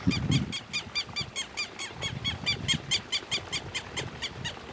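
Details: Quero-quero, the Southern lapwing, calling in rapid repeated strident notes, roughly three each second, loud and rasping throughout, over a low background rumble.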